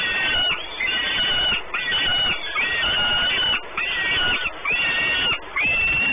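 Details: Peregrine falcons at a nest on the Orlen site in Płock, Poland, on 28 May 2019; harsh, grating calls with a rising-falling contour, repeated about once a second with short gaps, over a steady background hiss.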